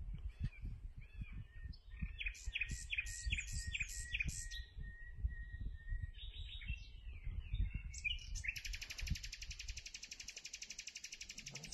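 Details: Common nightingale singing during a survey, short bursts of rapid, rattling phrases and slurred notes, ending in a long buzzy trill, over a steady low rumble of background noise.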